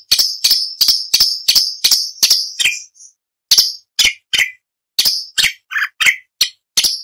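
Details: Orange-bellied leafbird song serving as competition training material for other songbirds: steady run of sharp, ticking high notes about every third of a second, then a varied section of scattered notes with some lower, rougher chirps.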